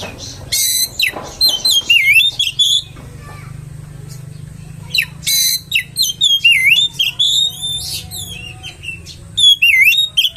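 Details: Provocation song of an oriental magpie-robin, meant to rile other magpie-robins: two bursts of loud, rich whistles, sweeping slurs and harsh rasping notes, split by a quiet gap of about two seconds. A low hum sits beneath.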